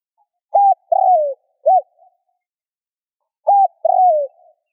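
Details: A spotted dove, its coo meant to spur other doves to coo, gives a hollow flat note, a long falling coo and a short clipped note, then repeats the opening after about two seconds of silence.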